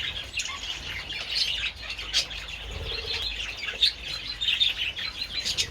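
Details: Budgerigars feeding on treats in sunshine on 27 February give continuous high warbles and sharp chirps, busy and overlapping, with brief bursts of wing flutter.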